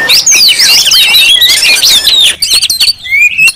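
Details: Crowded calling of Oriental magpie-robins, used as a lure to provoke rival birds. A tangle of quick high whistles and twittering phrases gives way to a few clear, rising whistled notes near the end.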